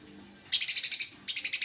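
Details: Eurasian tree sparrow in vocal fighting mode, from a masteran tutoring compilation of small songbirds chosen by judges: two rapid bursts of sharp, high chirps, about nine notes in the first and five in the second, over a quiet low hum.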